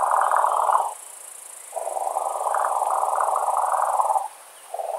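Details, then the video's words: European nightjar during breeding season at night near a nest with eggs and chicks, giving a steady low mechanical churr in two long runs with a short break between, and a faint steady high hiss in the background. "European nightjar. Birds during breeding season. Bird sounds and nest with eggs and chicks."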